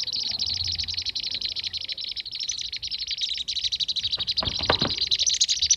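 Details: Blue-tailed bee-eater lure calls used to attract birds for trapping. Dense, rapid, high chirping notes run continuously in fast overlapping series, with a few sharp clicks near the end.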